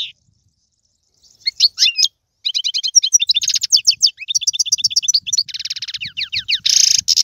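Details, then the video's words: Goldfinch song of the Algerian tiwawati and serfati styles: brief chirps, a pause, then a lively stream of tinkling twitters and quick trills ending in a harsh buzzy burst. "مقنين طيواواطي قالوبي و سرفاتي, هذا الحسون ليس له مثيل"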